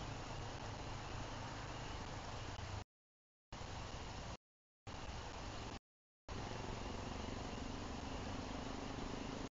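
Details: Steady broadband hiss and rumble, broken three times by short stretches of total silence, with no animal calls heard.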